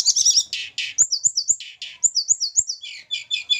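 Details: Captive hill blue flycatcher from Java, during pairing, gives a rhythmic song of buzzy chirps followed by evenly repeated high hooked whistles, about five per second, ending in fast trilled notes.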